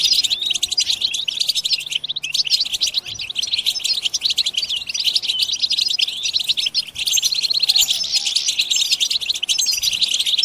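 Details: Group bitbita twittering of European goldfinches, meant to stimulate other goldfinches to sing; an energetic, unbroken mass of high chirps, liquid trills and fast repeated notes, briefly thinning near two seconds before swelling again.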